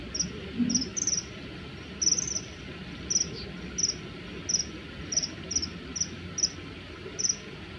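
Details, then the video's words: Two male common kingfishers in a territorial dispute give shrill, high piping threat calls during an aerial fight with hovering. The calls come singly or in quick pairs, about a dozen in eight seconds, over rushing water. "カワセミの鳴き声04 【華麗な空中戦】雄の縄張り争いで喧嘩 Common Kingfisher / Alcedo atthis"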